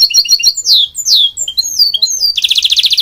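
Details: Goldfinch hybrid song: quick chirps, then several loud descending slurred whistles, ending in a dense, buzzy rattling trill.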